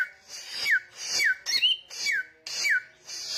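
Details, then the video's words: Samyong belting out a loud, regular series of downslurred whistles, roughly two a second, each riding on a hissing rasp, with one bright rising whistle slipped in. "SAMYONG Gacor Ngotot Suara Kenceng"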